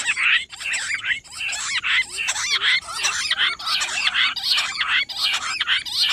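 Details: Rock bush quail (Perdicula argoondah) giving dense, nonstop chatter of high squeaky chirps and whistles, overlapping as if from several birds, no pause over six seconds, recorded 18 July; Rock bush quail.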